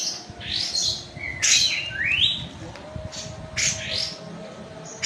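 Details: Kapas tembak white-eye from Medan, Indonesia, in full song: quick sharp chirps alternating with clear downslurred whistles, delivered in a brisk, uneven sequence over a faint background hum.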